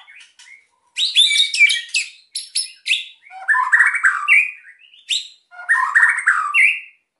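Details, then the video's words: White-rumped shama singing emotionally to coax quiet birds into song: bursts of high crackling clicks alternating with fuller warbled whistles in phrases about a second long. "MURAI GACOR EMOSI BIKIN MEMANCING BURUNG YANG PENDIAM"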